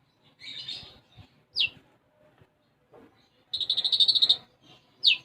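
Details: Gacor konin, the olive-backed sunbird, singing a song filled with sparrow-type phrases (isian gereja). A fairly quiet passage with a buzzy phrase, a sharp downslurred chip, then a rapid pulsed trill and another chip.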